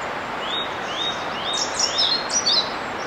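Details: Territorial male European pied flycatcher advertising to potential mates, opening with several rising whistled slurs, then a brighter, faster burst of high tinkling notes, with constant environmental hiss behind.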